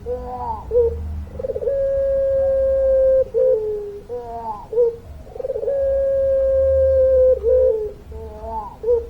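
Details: Puter pelung dove singing vigorously in long-voiced style: steady, drawn-out low whistled notes of about one and a half seconds each, led by short rising hoots, the phrase given twice with a faint low hum behind.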